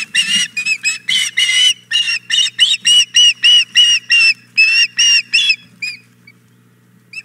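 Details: At the Hog Island Boathouse nest a female osprey demands the fish her mate carried in, giving loud, strident whistled yelps in a fast regular string that trails off into a few isolated squeaks, low hum beneath.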